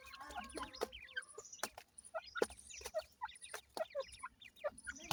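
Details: Grey francolin chicks, known locally as teetar, feeding in the morning: short upward-slurred peeps come irregularly from several overlapping birds, with sharp clicks and tapping sounds throughout.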